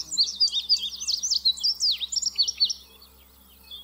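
An Indigo Bunting sings a bright, high, hurried run of sweeping notes, many in quick pairs, lasting under three seconds over a faint low hum.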